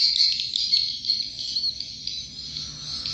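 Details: Swiftlets, the original sound as picked up from a control recording: a dense, continuous stream of high, thin, buzzy chirps in overlapping bursts, steady throughout and fading slightly toward the end, with no other sounds.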